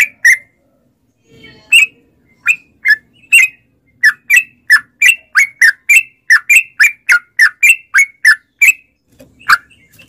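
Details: Sooty-headed bulbul singing as a lure for caged bulbuls, in the 'ropel' style. Separate short whistled notes come roughly every few tenths of a second, rising and falling, forming a long steady chatter for ten seconds.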